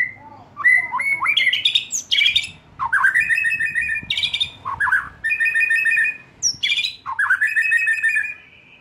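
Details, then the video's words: Young forest-caught white-rumped shama (murai batu) still in spotted juvenile plumage. It sings a long, varied run of rich whistled phrases, swooping up and down, with sharp high flourishes and brief gaps between bursts. "Memancing murai batu MUDA HUTAN dan LEPAS TROTOL agar GACOR NGEPLONG"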